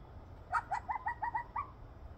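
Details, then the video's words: Blue jay in Kneehill County, Alberta, on 21 September 2023, gives about seven quick, rising yelping notes in just over a second, mimicking a coyote's yips (or perhaps a loon); otherwise quiet. "Blue Jay mimicking a coyote."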